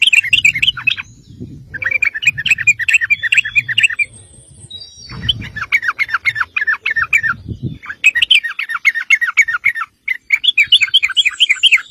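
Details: Lure recording of a sooty-headed bulbul in lively, rapid-fire song meant to draw replies from other bulbuls: dense bursts of bubbly warbling chirps separated by short pauses, with low rumbling background noise.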